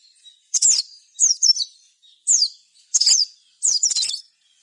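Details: Sogon singing gacor, played to train mental toughness and draw other sogon into song: five short bursts of high, thin down-slurred chirps, spaced roughly a second apart, over a faint steady high whine.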